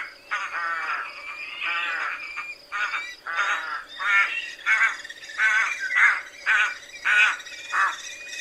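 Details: Rooks calling in a rapid series of rough, croaking caws, roughly a hundred a minute, overlapping and uneven in loudness, harsh and nasal in tone, with a constant thin high hiss behind them.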